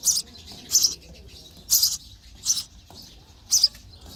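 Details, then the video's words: Nestling sparrows chirping for food during feeding: five loud, hoarse high chirps spaced unevenly over a few seconds, with quiet gaps between. "Baby sparrow chirping sound for food"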